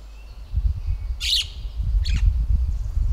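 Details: Jungle myna in the middle Himalaya, a plains bird newly recorded at this altitude, gives two short, harsh, grating squawks about a second apart over a steady low rumble of wind or handling noise.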